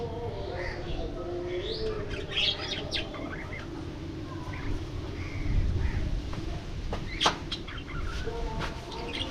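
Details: Budgerigars in an aviary, flying and playing: scattered short, bright chirps and squeaks come and go over a steady low hum, with lower drawn-out harmonic tones underneath.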